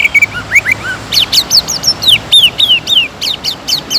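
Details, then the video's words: Greater green leafbird, a prolific singer, heard in a provocation lure: soft, rising slurs at the start, then a dense, lively chain of loud, downward-swept whistles. "PANCINGAN CUCAK IJO GACOR AGAR MAU EMOSI DAN NAIK MENTAL,LANGSUNG JAMTROK"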